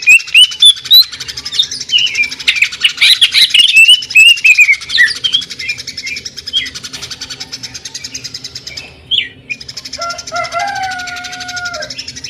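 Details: Greater green leafbird, jamtrok song with tembakan and a sewing-machine sound. Loud, rapid, stuttering chips and twitters come first, followed by quieter trills and a closing pair of low, sliding whistles.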